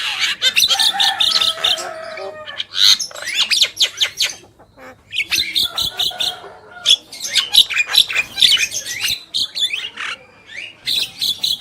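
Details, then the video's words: Javan myna male and female singing vigorously: dense bursts of harsh, grating chatter mixed with sharp squeaks and short whistled notes, coming in rapid clusters separated by brief pauses, with scratchy broadband rasps throughout. "Jalak Kebo Gacor"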